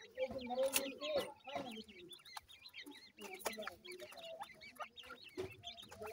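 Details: Francolin chicks keep up fast, high, wavering chirps in an overlapping chorus, broken by a few loud knocks and lower clucks near the start.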